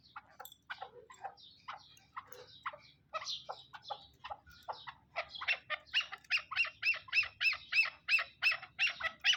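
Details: Black francolin (kala teetar) at Shakardara, Pakistan: scattered harsh, buzzy notes at first, building into a loud, regular series of ringing, arched notes repeated about three times a second.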